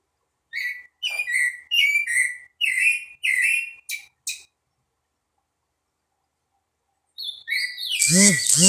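Green-winged saltator giving a fast run of rich, slurred whistled notes, a pause, then a brief restart cut off by a loud noisy burst.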